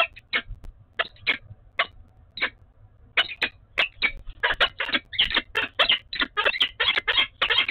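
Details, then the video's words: Pair of peregrine falcons bonding at the nest in Oudenaarde, 11 February 2021. Rasping, chattering notes start sparse, then quicken into a rapid, insistent series of grating calls, nearly continuous toward the end, with faint low rumble beneath. "Oudenaarde Peregrine Falcon - Bonding 20210211"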